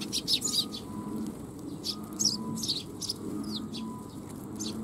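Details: Eurasian tree sparrows gathering at a shrine to be fed, 12 July 2021: several birds chirp in a busy, overlapping chatter of short bright notes, with a faint steady low hum and a few soft, brief tones beneath.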